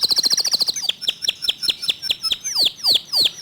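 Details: A local canary's clear, fast 'tembakan' song: a quick high trill, then spaced chirps, then a few long whistled notes sweeping steeply downward.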